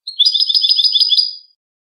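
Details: Short burst of European goldfinch clean song meant for teaching captive birds: about seven quick, high, liquid twittering notes packed into just over a second, starting with a single lead-in chirp; nothing else audible.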